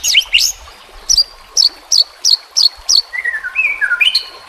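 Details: White-rumped shama song used as a training recording for caged birds, mixed with nature sounds and trickling water; sharp whistled notes repeated about every third of a second, then sliding whistles and a rising flourish.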